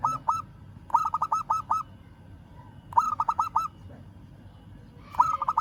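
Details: Local zebra dove answering a rival with repeated bursts of quick, bouncy cooing notes, five to seven per phrase, phrases coming roughly every two seconds.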